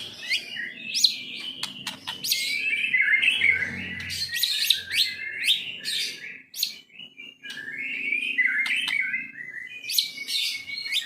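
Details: Kept white-rumped shama singing a varied, jumbled song of rich whistles, sharp clicks and buzzy high notes in bursts separated by short pauses.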